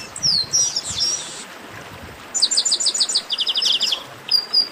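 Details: Chestnut-capped blackbird's esquenta song: sweeping whistles and a buzzy burst, a short gap, then a fast run of crisp high chips changing to a slightly lower rapid series, with a final whistle and soft low thumps.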